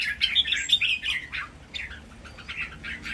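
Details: A contest of three caged red-whiskered bulbuls singing a lively training song of counted phrases; rapid chattering warbles run together at the start, then fade into softer, blurred notes over a steady background hiss.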